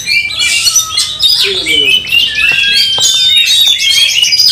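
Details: White-rumped shama fired up for a fight: long clear whistled notes and rising slides mixed with harsh bursts and rapid twittering, sung without a break.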